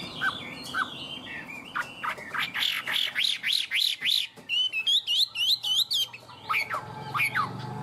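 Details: Tame caged Chinese hwamei singing high 'cao cầu' song: varied whistles, then a steady run of loud arched notes about four per second, followed by quicker high trills and a few sliding calls.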